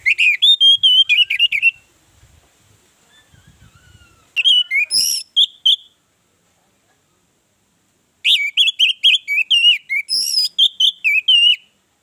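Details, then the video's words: Orange-headed thrush singing as a lure to draw other birds into song. Three bursts of rapid, high, warbling whistles with sweeping and trilled notes, separated by quiet pauses with soft low background noise. "Pancingan ampuh Anis merah bikin yang lain bersuara"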